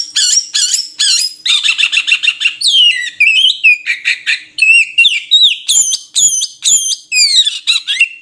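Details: Oriental magpie-robin, or murai kampung, delivering fast chattered notes followed by a series of repeated hooked whistles and downslurred phrases.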